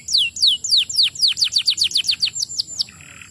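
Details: Canary song used to stimulate other canaries to sing: a rapid series of clear whistled notes sweeping steeply downward, repeated about four per second and speeding up, ending in a short buzzy trill.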